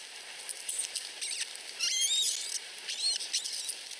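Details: Osprey nestlings less than a week old in Finland whining for food as they compete at the mother's feeding: a run of sharp, high, rising squeaks around midway, then another short burst of thin cheeps.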